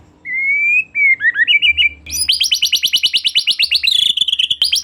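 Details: Lure song of a vigorous white-rumped shama, meant to set another shama singing: clear rising and wavering whistles, then a rapid ringing series of short sharp notes that speeds into a dense trill.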